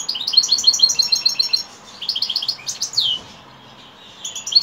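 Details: European goldfinch singing in the evening: rapid bursts of bright, high twittering notes in quick runs, a short pause, then more tinkling twitter at the end.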